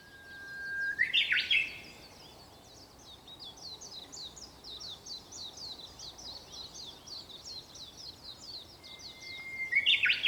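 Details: Japanese bush warbler at dawn on 4 May 2021, singing twice about nine seconds apart. Each song is a soft held whistle that bursts into a loud, explosive warbled ending, with busy high twittering from other birds in between.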